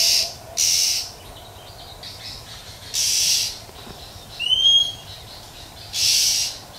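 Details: Female Oriental magpie-robin calling in nature to stimulate males. Several long, harsh rasping bursts are spaced a second or two apart, with one clear rising whistle and faint overtones near the middle.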